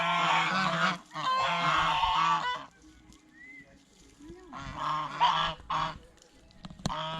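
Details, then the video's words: At a fish pond, geese eating bread and fresh greens produce long, dense runs of raucous honking, a pause, then another burst of harsh calls. "เสียงห่านร้อง ห่านกินขนมปังกับผักสดในบ่อปลาอย่างเอร็ดอร่อย | Goose Sound Effects"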